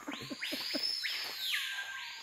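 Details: Screaming Piha in pristine rainforest in Guyana, heard often but hard to see in foliage, giving loud, ringing whistles that sweep steeply upward, hold a piercing high note, then drop away; faint low murmuring at the start.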